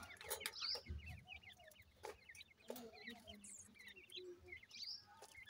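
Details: Grey francolin chicks at home give a busy chorus of small, descending peeps, with scattered louder squeaks, light thumps and background shuffling.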